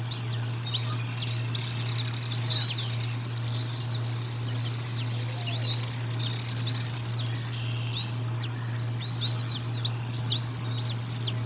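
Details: Bald eagle calling during feeding at the Decorah North nest, recorded by a nest camera on 04 01 2022: about a dozen high, arched whistled chirps in quick irregular series, one louder burst near the start, low hum throughout.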